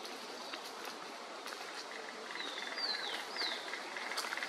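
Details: Mottled piculet in Argentina giving three thin, high squeaky notes that slide downward in the second half, over faint ticking and a soft, steady background hiss.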